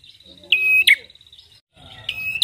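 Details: A red-headed prinia (prenjak kepala merah), recorded as a lure call, gives a thin, high, steady piercing note followed by sharp ticking clicks, twice in quick succession, over a faint low background hum.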